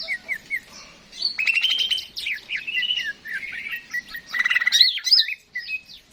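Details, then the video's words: Greater green leafbird (cucak ijo) singing vigorously in a lure recording meant to spur other birds to sing: short whistled slurs, then bursts of rapid buzzy trills with sweeping notes between, over a faint low hum. "PANCINGAN CUCAK IJO GACOR, AMPUH BURUNG MAKIN SEMANGAT UNTUK BUNYI DAN GACOR"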